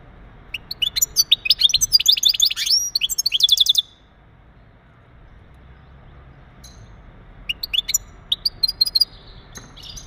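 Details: Mating calls of a male European goldfinch, used to prepare a female for breeding: a lively burst of fast, high, jingling twitters and trills, a pause, then scattered sharp chirps resuming.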